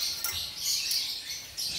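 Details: A citron-crested cockatoo (Cacatua sulphurea citrinocristata) gives harsh, raspy screeches in short bursts, about three within two seconds, with a hissy edge between them.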